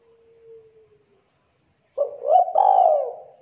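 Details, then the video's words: Spotted dove singing with a clear, thick voice: a faint drawn-out whistle-like note, about a second of silence, then a loud burst of two to three deep, bending coos run together. "DERKUKU TEKUKUR GACOR KUK 2 JERNIH SUARA TEBAL"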